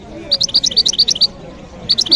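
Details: Goldfinch × canary hybrid (mule, 'mistou'), about five years old and mature, its song well established and unchanging, at the Grayaa bird market. Rapid run of bright, high chirped notes, a short pause, then more chirps resume, with faint voices nearby.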